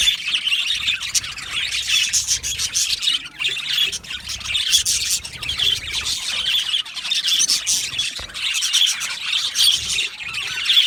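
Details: Australian budgerigars in an aviary colony, a dense, continuous chorus of high chirps, squawks and warbling chatter from many birds at once, swelling and easing in loudness across about eleven seconds.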